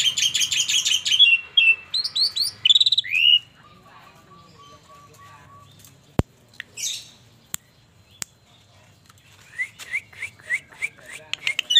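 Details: Asian pied starling (Gracupica contra), described as bald, giving quick bursts of high, squeaky whistles and chatter, pausing with a few sharp clicks, then resuming the jumbled chattering notes.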